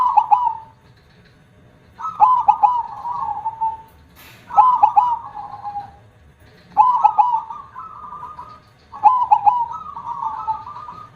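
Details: Actively singing perkutut (zebra dove) with a large 'kong' voice: rhythmic coo phrases of clipped opening notes and a drawn-out, trembling coo, recurring roughly every two and a half seconds.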